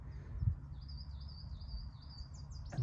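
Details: Willow warbler singing in front from fields on April 27, with a chiffchaff farther back: a soft, high, flowing phrase of slurred notes lasting about two seconds, faint over steady low rumble and outdoor noise.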